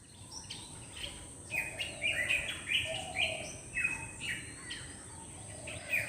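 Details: Black drongo recorded live: after a quiet first second and a half, sharp, clipped chirps and short whistled notes follow in irregular bursts, about two per second, over a steady thin high-pitched hum and low background rumble.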